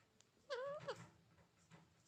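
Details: Rose-ringed parakeet talking: a short nasal, voice-like utterance with a wavering tone lasting about a quarter second, a quick clipped second syllable, then low room hum.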